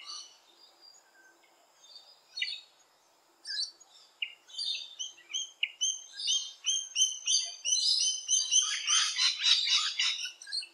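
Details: Rainbow lorikeets visiting a garden give shrill, screechy chattering calls, sparse at first, then building into a dense, rapid, overlapping burst of harsh screeches.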